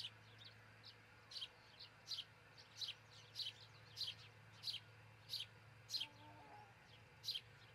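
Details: Osprey calling from its nest in Charlo, Montana, recorded by nest camera at dawn on June 22, 2018; a run of about eleven thin, falling whistled chirps, slightly irregular, with a low steady hum beneath.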